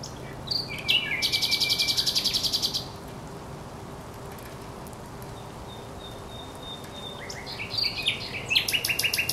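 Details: Thrush nightingale at the Żerański Canal, 24 April 2022, opening with a whistle and then a rapid buzzing rattle of harsh pulses, followed by a thin level whistle and a final stuttering burst of rasping notes, over a steady low hum.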